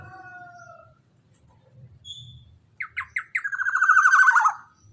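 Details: Black-naped oriole calling loudly, used as a lure for other orioles: three short sharp rising notes, then a harsh, buzzy, rasping run sliding slowly downward for over a second, after faint thin whistles and a low hum.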